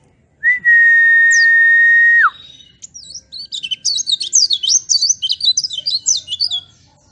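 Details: Oriental white-eye lure song for training caged birds to sing: a long steady loud whistle, then a rapid jumble of high, thin twittering notes that rise and fall for several seconds.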